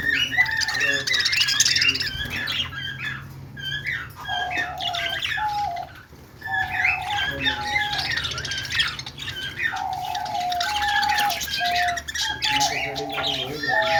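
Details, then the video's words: Several budgies sing in a continuous, fast, chattering warble, mixing squawks, chirps and twittering notes. Steadier lower whistled tones run beneath, and the chorus pauses briefly mid-way before resuming. "budgie singing talking and chirping"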